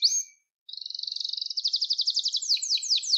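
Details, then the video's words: Gloster canary singing, a recording meant to stimulate and train canaries: one short upslurred whistle, a pause, then an accelerating bubbling trill that turns into louder, steeply descending repeated notes. "Gloster Kanarya Sesi Ve Ötüşü"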